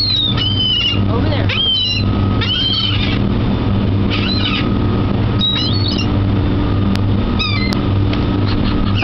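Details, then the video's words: Seagulls flocking by the water at a dock give repeated high, downward-sloping squeals, several overlapping, with a steady low droning hum underneath. "Seagulls at the Dock (Beware the Annoying Sounds!)"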